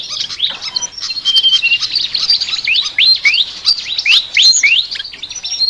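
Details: Flycatcher known locally as sikatan singing in a unique chattering style: fast high chirps, about three to four per second, mixed with sweeping downward slurs and short piping whistles, steady throughout.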